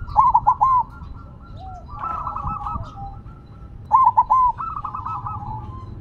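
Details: Silver perkutut, the zebra dove, keeps singing while placed on the ground, giving loud clipped three-note coos twice, each followed by a softer rolling trill, with more doves cooing faintly behind.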